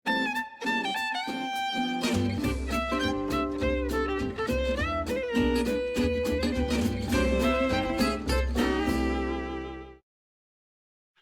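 Bowed strings, fiddle and cello, playing a lively tune for about ten seconds, then silence; no animal sounds.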